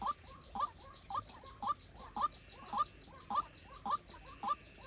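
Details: White-breasted waterhen, apparently a decoy bird used for trapping, giving short, harsh, nasal notes repeated about twice a second in a steady, monotonous series, with a faint background hiss.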